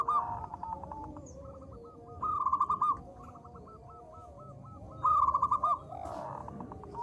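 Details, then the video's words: Zebra dove, local bird, singing to lure others: faint continuous runs of quick notes punctuated by two louder bursts of rapid staccato notes, set against steady background noise. "PERKUTUT LOKAL GACOR suara kecil - HITUNGAN DETIK LANGSUNG RAME (PENGUNDANG BUNYI)"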